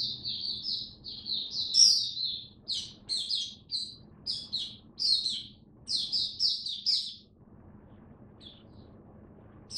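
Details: A caged oriental white-eye, kept on a diet adjusted for cold rainy weather, sings high, clipped twittering phrases in a stop-start rhythm, then falls quiet with a soft hum in the background.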